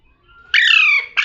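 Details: A single long, harsh, slightly falling screech from a talking parrot, cut off by the start of another.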